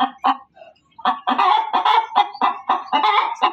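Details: A female chicken gives a loud cackle: two sharp clucks, a short gap, then a quick run of rough, insistent notes.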